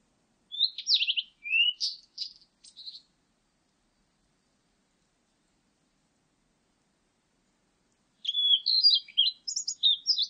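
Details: Blue-and-white flycatcher song, two whistled phrases about five seconds apart, each a string of varied sweet notes, slurred up and down with short buzzy elements and a high ending note; quiet background otherwise.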